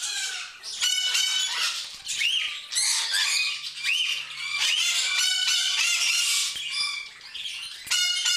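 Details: A flock of many cockatiels, both female and male, in a shared cage screeching together in harsh, overlapping calls with occasional rising whistles.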